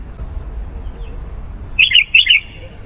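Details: Lure song of a sooty-headed bulbul, played to draw in wild birds: after a quiet stretch, two rapid liquid whistled bursts arrive near the end, each a tumbling cluster of short notes.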